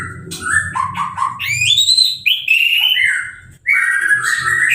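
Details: Orange-headed thrush kept in a cage, newly moulted and just hosed down for a bath, singing without a cover: a continuous run of varied whistles, slurred up and down, with rapid chattering notes over a low background rumble.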